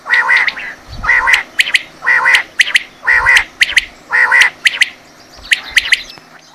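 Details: Quail in a hunting setting gives rasping buzzy bursts at a roughly one-second beat, then switches to clear sharp triplet notes, with light low thumps underneath.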